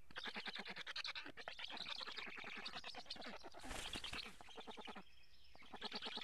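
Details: Karula black storks, Estonia, on a live nest camera on 8 July 2017 during a fish feeding. Harsh rapid-fire pulsed calls, several overlapping, broken by a short gap and a sharper noisy burst.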